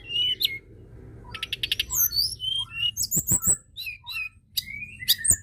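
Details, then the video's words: Rapid, varied white-browed shortwing song used to stir other birds to sing, with fast stuttering high notes, twisting whistles and a series of sharp emphatic chirps in quick succession. "Tledekan gunung gacor!!! ampuh pancing emosi burung bahan"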